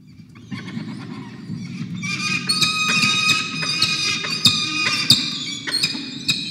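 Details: Peregrine falcons on a nest camera at Charles Sturt University, 5 November 2021, very hungry at breakfast after 24 hours without food, an injured bird among them. After a quiet start, loud squealing harmonic cries rise and repeat rapidly over a steady low rumble.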